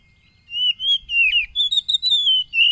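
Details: Oriental magpie-robin song, phone-recorded on 30 July 2022 in East Lampung, Indonesia, meant to excite wild-caught caged birds into singing: a continuous string of rich whistles and warbles, wavering and sliding, faint constant high tone behind.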